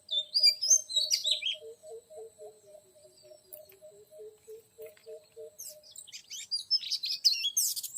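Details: Oriental magpie-robin sound used to lure a young wild male: brief high whistled and scratchy phrases at the start and end, with a long regular series of low soft double-pitched piping notes between, about four per second.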